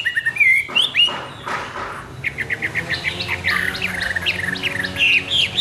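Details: Morning song of a Hwamei: an opening clear rising whistle and a noisy burst, then a fast series of short, bright, repeated whistled notes, about three per second, continuing steadily.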